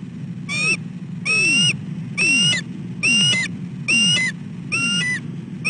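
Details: Female bald eagle calling at her nest on 15 December 2013 at 5:41 pm while her mate eats in a nearby dead tree; thin, whistled, slightly rising notes with a falling tail, repeated about once a second, over a steady low rumble.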